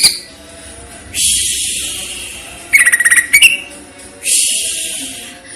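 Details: Greater green leafbird (cucak ijo) song from a masteran training recording in the platuk versus cililin style, with pauses: harsh buzzy broadband bursts, then a quick run of about ten sharp pulsed notes, then another buzzy burst.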